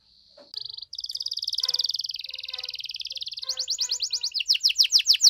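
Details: Canary in 'gacor' song meant to set other canaries singing: a faint start gives way to a sustained buzzy rolling trill that slowly dips, then breaks into faster, louder chopped trill notes toward the end.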